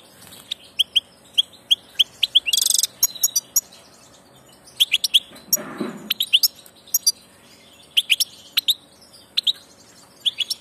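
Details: Migrating European goldfinch in song: sustained high, tinkling twitter of short chirps and a brief buzzy trill, with a soft low rustle midway.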